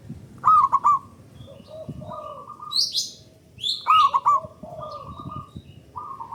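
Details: Local zebra dove cooing in long, strong phrases as a lure for other doves: fast rolling coo series repeated twice, each opened by a sharp bright chirp, with a lower soft warble and scattered high bird calls.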